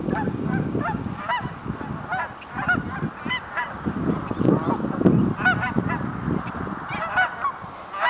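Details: Migrating Canada geese, a flock calling: a steady stream of loud, nasal, overlapping honks, some rising and falling, several birds at once, over a low rumbling background.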